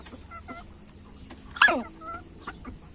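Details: Hen choking after eating too greedily, giving hiccup-like sounds: soft clucks near 0.3 and 0.5 seconds, then one sharp, loud, harsh burst at about 1.6 seconds, followed by quieter clucks.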